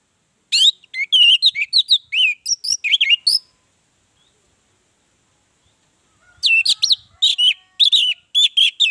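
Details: Orange-headed thrush song serving as a lure for other birds: two bursts of fast, varied whistled and chirping notes with swooping slurs, separated by about three seconds of silence.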